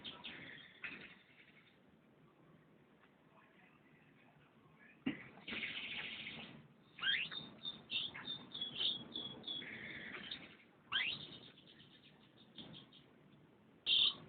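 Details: Canary song in bursts: a buzzy rasping phrase, then bright rising sweeps and rapid twittering trills, separated by quiet gaps with a final short, sharp note.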